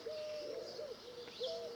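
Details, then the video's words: Wild Eurasian collared doves, plenty around, heard on a summer coastal walk near Selworthy in North West Somerset, England, on 17 July 2019. Soft, low, hollow cooing notes, smoothly arched, given in a run of several coos with a faint airy background hiss. "Plenty of doves around, as you can hear."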